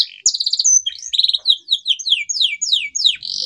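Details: Canary song to arouse silent canaries into song: continuous loud warbling of pulsed trills and repeated downslurred whistles, ending in a buzzy sustained note.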